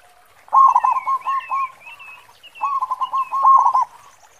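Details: Perkutut lokal, the local zebra dove, singing its heavy khong song as a lure: two loud rolling phrases of rapid repeated coos separated by a quiet gap, with soft high twitters of other birds underneath.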